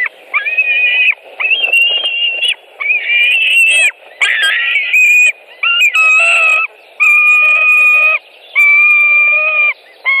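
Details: At a Latvian white-tailed eagle nest during feeding with fish, May 2018: a steady run of loud, level piping notes, about two-thirds of a second each, repeated with short gaps, a few harsher bursts mid-sequence.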